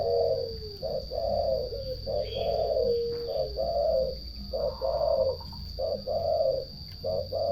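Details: Turtle dove purring song: low, rolling purred notes delivered in pairs, a short burr followed by a longer one, repeated about four times over several seconds, with faint higher chirps from another bird in the background.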